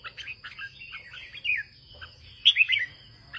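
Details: Bulbul song in the northern 'ché' manner from a farmer's Red-whiskered bulbul: soft chattering notes building to a loud, fluty warbled phrase near the end, with a continuous high-pitched tone behind.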